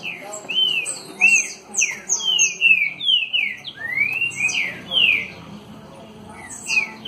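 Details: Caged Green-winged saltator singing face-on in the trinca-ferro "60 boi" (dançarino) style: a steady run of loud, clear whistled notes, slurring down then sweeping up, given in quick succession with brief pauses.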